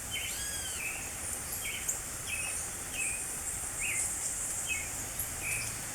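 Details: Creamy-bellied thrush singing in spring, short slurred whistled phrases of a few notes spaced about a second apart, over a steady hiss of insects or distant background noise.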